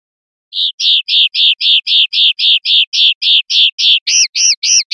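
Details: Linnet song in the 'pardillo limpio' style from a 2021/2022 CD: a fast, even run of bright notes, nearly four a second, shifting at the end to arched, swooping notes.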